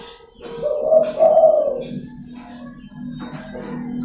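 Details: Local zebra dove singing in the morning, a recording used as a lure and to train other doves: a single rolling, trilled coo phrase lasting about a second, followed by low humming, with a steady high electronic whine throughout.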